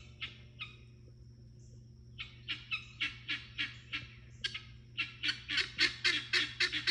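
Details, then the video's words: Guineafowl kept with a farm flock, loud and grating: harsh, broadband rasping notes in an irregular rapid series, at first sparse, then building into a dense chattering run of about three to four calls per second; steady low hum behind. "Why guineas are needed despite their annoying sound"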